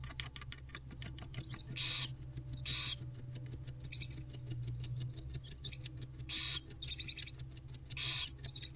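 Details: Five barn owl owlets in a nest box beside their tired mother, mid-morning in April; loud rasping hisses come in uneven bursts between softer scratchy sounds, over a constant low electrical hum.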